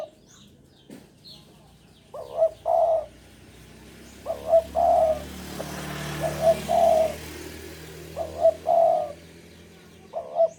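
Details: Spotted dove from Java, singing eagerly while in breeding mood, repeating its hollow three-part coo roughly every two seconds, five phrases, over a steady broadband rushing background noise.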